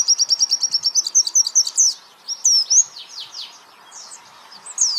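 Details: White-eye training song: starts mid-trill with quick, even piercing notes, shifts into tumbling squeaky slurs, then scattered high downslurred chirps separated by short silences.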